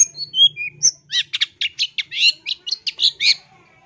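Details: Long-tailed shrike song as a model for training birds: four clear, short whistles at changing pitches, then a rapid series of harsh, buzzy chattering notes.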